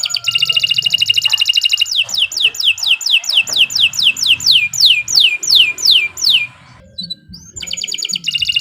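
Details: Canary tutor song for training young songbirds: a steady high trill, then about a dozen falling whistled sweeps at a steady pace, a brief pause, and another trill, over a faint low background hum.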